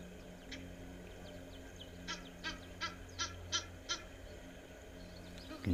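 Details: Egyptian goose at an African waterhole on a daytime live safari broadcast, 27 June 2026, giving a quick run of six harsh, hoarse honks, about three per second, over a low steady hum.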